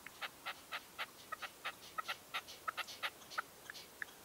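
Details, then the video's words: Red-legged partridge used as a decoy at a 2023 dawn hunting post: a lively, uneven series of short chattering notes, some doubled, carrying on for about four seconds. "PERDIZ CON RECLAMO"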